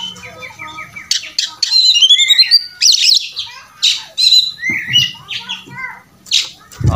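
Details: Oriental magpie-robin singing a fighting-style song used as a master recording for training: loud whistled notes, rising and falling slurs and harsh squawks at high pitch, with a low hum and a brief low thump at the end.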